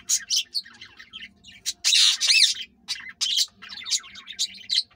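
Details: Green ringneck parakeet pair trying to mate without success: bursts of harsh, grating squawks mixed with fast, chattering chirps and short screeches, loud and irregular with brief pauses between outbursts.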